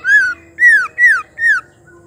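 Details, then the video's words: Female white-rumped shama calling to push males into full song: four loud, clear whistles, each sliding downward, spaced about half a second apart, with a faint steady hum behind. "Pancingan murai bahan susah bunyi auto nyaut gacor dengar suara murai betina"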